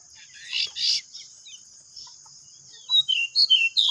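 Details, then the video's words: Trio of pied bushchats in continuous ngeplon song at home: early rustling noise bursts, then a run of clear short whistled notes, each slightly descending, coming quickly near the end, over a steady high hum. "3 BURUNG DECU NGEPLON"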